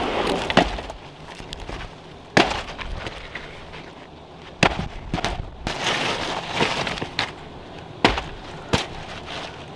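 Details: Sharp cracks and crashing of wood and glass being broken apart, with brief speech between impacts and no animal sounds.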